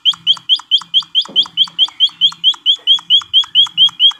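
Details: White-headed munia on a training recording for cage birds: a fast series of short upslurred notes rising to a steady high pitch, about two per second and evenly spaced, with a brief low rustle near the middle.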